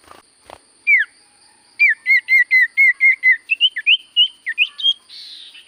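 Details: Sirtu cipoh singing steadily: a string of about a dozen short whistled notes at an even quick pace, each dipping and rising, then a higher wavering phrase and a brief buzzy ending.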